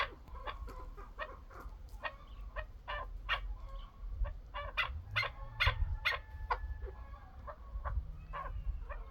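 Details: Chukar partridge delivering a loose series of sharp clucks at a fast, uneven pace, over a low background rumble.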